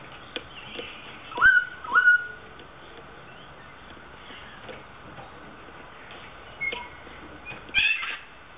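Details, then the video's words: Captive South Island kaka in a public aviary at Dunedin Botanic Gardens, New Zealand, one of a breeding pair, playing on a chain; a pair of short upslurred whistles, later a brief high note and knocking sounds. "South Island Kaka playing on chain"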